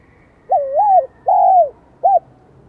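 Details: One phrase from a Vietnamese spotted dove with the high-pitched 'son' voice, just beginning to react to a decoy: a rising-and-dipping coo, a long steady falling coo, then a short sharp closing note.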